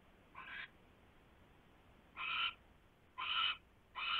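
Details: Owl at its nest just after midnight on 27 January 2016, when the male delivers a large rat; raspy hissing screeches of about a third of a second, repeated roughly once a second, over faint background hum.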